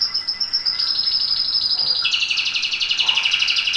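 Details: Domestic canary singing, a recording meant for teaching and warming up canaries: a sustained high, thin trill for two seconds, then a dense, buzzy rapid trill at a lower pitch, unbroken throughout with no other sounds.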